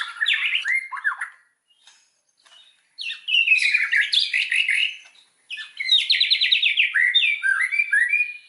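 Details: Lure song of a white-rumped shama for stirring other shamas to sing fully: three loud bursts of varied chirps, warbles and rapid trilled notes, broken by short pauses.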